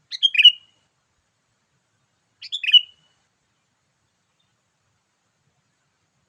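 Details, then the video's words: Lively 'gacor' sooty-headed bulbul call meant to lure wild birds: two quick bubbly phrases of a few descending chirps, about two and a half seconds apart, then the start of a third, with silence between. "memikat burung kutilang dengan suarany yang gacor"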